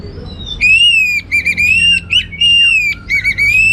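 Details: Orange-headed thrush in full 'gacor' teler-style song, rich in varied material: long, pure, ringing whistles that hold steady then dip and rise, broken by quick stuttered notes, loud and clean above faint low rumble.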